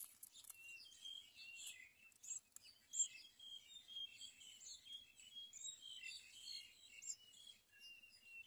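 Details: House sparrows feeding caterpillars to their young chirp busily and without pause, with many overlapping high, sharp cheeps running all the way through, over faint outdoor background noise.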